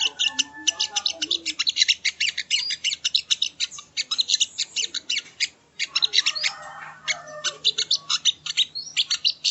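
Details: Sogon, locally sogo ontong, in a training recording: an almost unbroken stream of quick, sharp, high chirps and trills, with one brief dip in volume midway before the rapid chatter resumes.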